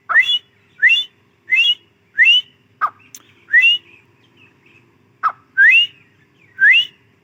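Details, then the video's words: A grey francolin (teetar), possibly female, gives loud, ringing whistled notes that slur sharply upward, repeated about every 0.7 seconds, with a few short sharp clicks between them; human laughter nearby. "Teetar awaz | Teetar voice | gray francolin teetar sound | Teetar ki Awaz bohra Teetar awaz"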